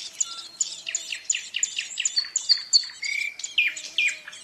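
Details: Nestling ouzels in their nest give rapid high chirps, roughly four or five a second, sharp descending squeaks with a brief buzzy trill near the end, over a quiet background.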